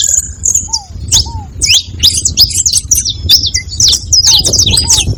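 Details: Group of saffron finches making noise together: rapid jumbled high chirps and zigzag notes, short pauses between bursts, occasional low falling whistles from a different bird, over a constant low rumble.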